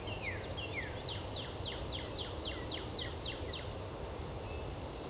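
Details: Eastern Kingbird fledgling gives a quick series of high, thin, sharply falling notes, about three per second, over a steady low rumble of traffic or wind.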